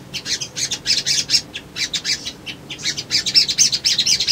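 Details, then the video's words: Lure song of a male little spiderhunter, played to stir birds into searching for a rival: quick, high, scratchy chip notes delivered in uneven clusters throughout, about two per second. "SOGON GACOR PANCINGAN BAHAN IJOAN"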